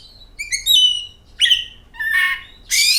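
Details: Oriental magpie-robin singing as a lure for other birds: a layered whistled phrase, a sharp downward note, then two harsh buzzy bursts.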